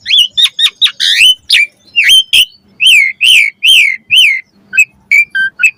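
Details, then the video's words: Asian pied starling song for training caged birds to sing fully, full of variations: a quick series of loud whistled notes, many sharply up-slurred or down-slurred, repeated at an uneven rhythm, with no other sounds. "Masteran Suara Burung Jalak Agar Gacor Full Isian"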